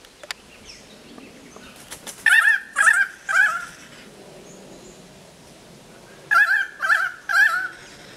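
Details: Pied currawongs trilling excitedly around a Powerful Owl holding prey, Manly Dam National Park near Sydney: two bursts of three loud, ringing, wavering trills about half a second apart, quiet bush background.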